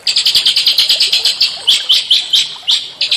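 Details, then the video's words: Rapid, evenly spaced high chirps from small songbirds, about eight a second, break into slower, separate sharp notes; a recording meant to stimulate white-rumped shama song. "masteran burung kecil"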